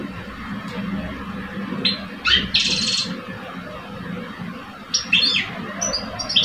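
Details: Caged male European goldfinches, a mature bird and a two-year-old, in a singing duel. A few thin chirps, a harsh buzzy burst near three seconds, and another short twittering phrase around five seconds, over hum.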